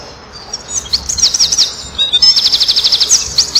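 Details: Shrill, rapid song of a male Eurasian wren performing for neighbouring females, recorded by a nest-wall camera on 7 June 2012 at 16:57: jumbled high notes leading into a fast, even, machine-gun trill.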